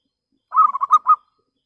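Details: Local perkutut, the zebra dove, valued for a clear voice that draws rivals to respond, utters a single rapid run of about five rolling coos ending on a slightly separated note, with no other sounds.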